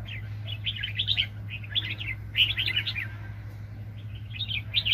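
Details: A Red-whiskered bulbul during bird trapping in 2020 gives bright, bubbly whistled phrases in short bursts about every second, over a steady low hum.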